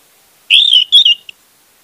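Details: A single loud orange-headed thrush phrase, used as a lure for a silent bird: a long slurred whistle followed by a quick warbled twist and a short closing note.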